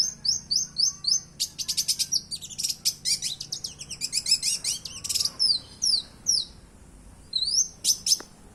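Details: Long-tailed shrike with a mimicking song: very high, thin, sharp whistles and rapid chattering bursts of varied notes, switching between styles, with a short pause before more whistled notes at the end.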